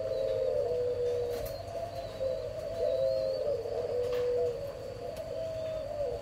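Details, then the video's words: Spotted dove parent birds of the whistle-toned 'âm còi' kind, bird number 11, June 2023; soft, low coos follow one another closely in a continuous, slightly wavering stream over a constant faint background hum. "CHIM 🐦 CU BỐ MẸ ÂM CÒI"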